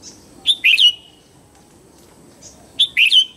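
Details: Morning song of a red-whiskered bulbul: two cheerful phrases about two seconds apart, each a high chip followed by quick, bright, slurred whistled notes, with a faint high background tone.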